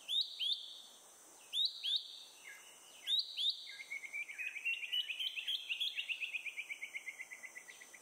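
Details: Malaysian hawk-cuckoo (Hierococcyx fugax), Selangor, Malaysia, April 2021, giving song and alarm call together after a caterpillar meal; three sharp rising two-note phrases, then an accelerating run of quick rising notes that grows insistent.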